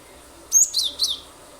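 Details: Glatik batu (cinereous tit) in full song, used to draw other birds into singing: three high notes in quick succession, the first a thin whistle, the next two buzzier and sliding downward.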